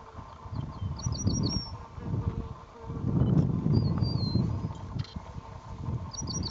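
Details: Cretzschmar's bunting singing at old Pyli, Kos, Greece, in April 2015: short phrases of three or four high, clipped notes about every five seconds, with a thin slurred whistle between, over heavy low wind rumble.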